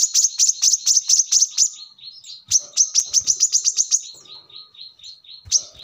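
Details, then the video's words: Brown-throated sunbird, recorded as a song model for birds: quick volleys of high chirps interleaved with softer buzzy twitters and falling notes. "kolibri kelapa | manggar | wiceh | tidak disangka burung receh segacor ini untuk pancingan |masteran"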